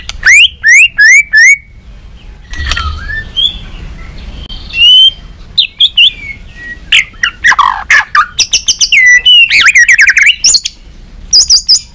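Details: White-rumped shama, a caged bird being trained, singing a competitive song in many voices while flicking its tail: a varied run of sharp rising whistles, sweeping slurs and rapid clicky notes that changes phrase every second or two.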